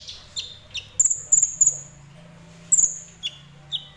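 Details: Ninja sunbird singing fairly actively: thin, very high whistled notes, some steady and some falling, given in short separate bursts with quiet gaps; a few lower sharp chips in between, with faint low hum and a voice in the background.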